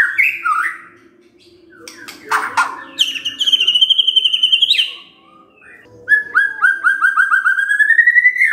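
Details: White-rumped shama used as a lure to provoke singing, giving a varied loud song: sliding whistled notes, a harsh buzzy burst, then long rapid trills of repeated notes, one rising steadily.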